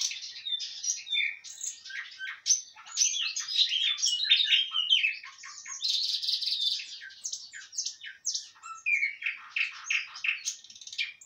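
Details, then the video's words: Kursk nightingale in full song, a dense unbroken stream of high chirps, clicks, rapid rattles and brief whistled notes that shift every second or so, with scarcely a pause across the phrase. "Пение соловья Курск"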